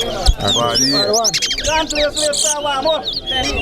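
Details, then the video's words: Chestnut-bellied seed finch (towa towa) singing at a bird singing competition in Corriverton, Guyana, with notes counted aloud: quick, warbling song of rapid high whistles and slurred trills over a noisy crowd talking close by. "TOWA TOWA BIRD SINGING"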